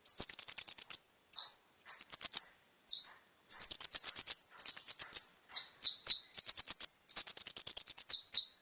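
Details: Lure song of the konin, or brown-throated sunbird, played to stimulate captive birds: very high, fast twittering trills alternating with short falling buzzy notes, in dense, uneven phrases.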